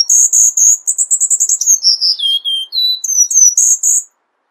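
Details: A Cuban bullfinch (Melopyrrha nigra) sings a rapid string of very high, thin notes, then slurs downward in a few longer whistles before jumping back up to close.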